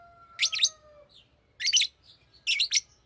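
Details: Bright, grating double chirps from a green lovebird, three bursts in three seconds, with a thin, falling whistle tone at the start and a low background hum.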